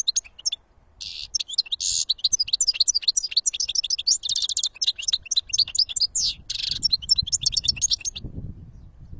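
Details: European goldfinch singing in nature: a fast, bright twittering stream of high tinkling notes, buzzy trills and liquid chirps, running without pause for about eight seconds before fading into soft low rustling.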